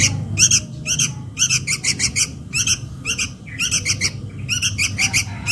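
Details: Sooty-headed bulbul chick calling for its mother, a lure sound: rapid rasping chirps about two per second, grouped in twos and threes, with low background hum.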